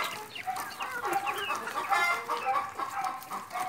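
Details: Dense flock chatter from chickens feeding in a yard, with many rapid overlapping clucks and warbled chirps blending into a constant busy din with no pauses.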